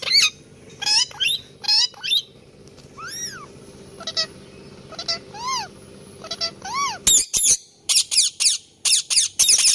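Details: Indian ringneck parakeet, described as angry chirping: loud harsh chirps and arched squawking notes scattered irregularly, ending in a fast series of shrill high screeches, over a low steady background hum.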